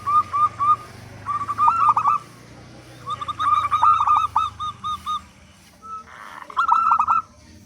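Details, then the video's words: Local zebra dove with a strong voice, used to coax doves into calling: groups of clipped whistled notes, some rippling and tremulous, separated by short silences, low hum beneath. "Perkutut Lokal Gacor Suara Besar Pancingan Burung Perkutut Agar Cepat Bunyi"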